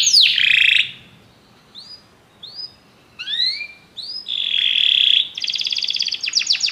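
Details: Canaries singing together after hearing music: a loud opening swoop, scattered soft rising whistles separated by pauses, a steady buzzy roll, then quick high trilled notes.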